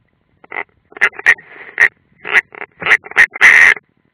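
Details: Nest of an unringed European roller, Ādaži training ground, 30 June 2016, from a live camera: about ten harsh, throaty rasps, increasingly loud, ending in a longer strained grating call.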